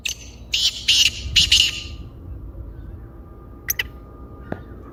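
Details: Black francolin call used to stir a caged bird into calling: a cluster of four loud, scratchy, buzzing notes packed into the first two seconds, then background hum with two faint clicks.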